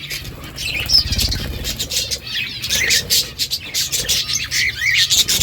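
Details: Several budgerigars chattering continuously with quick scratchy chirps, short rising whistles and buzzy warbles, the busy flock sound steady throughout with a faint low rumble underneath.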